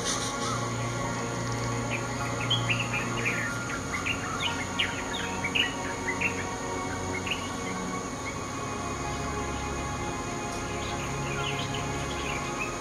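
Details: Two bulbul chicks calling: a rapid run of short, high, sharp chirps and upswept notes in irregular bursts over a steady hum of background noise and faint music.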